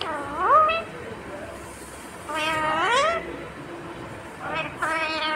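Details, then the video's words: Pet talking parrot mimicking words said to be "mummy" and "papa": drawn-out, rising-and-falling voice-like syllables with rich harmonics, two main phrases separated by a pause, a quiet room behind. "talking Parrot mummy 😍 papa"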